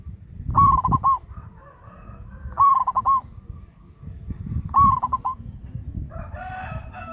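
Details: Local zebra dove serving as a lure bird: three stuttering coo phrases, each a clear tone breaking into quick pulses, about two seconds apart, followed by a rougher mixed call; steady low background noise.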